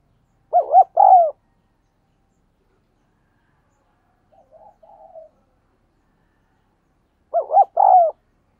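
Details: Spotted dove 'thúc gù' cooing, used for training decoy doves and luring wild ones: a two-hoot-plus-long-coo phrase at the start and again near the end, with gentle soft cooing murmurs in between, against silence.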